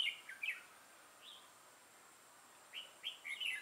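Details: Red-whiskered bulbul recorded during trapping on 6 November 2018: clear, sweet whistled notes in quick slurred phrases, a lone note midway, then a lively burst of rising chirps at the end.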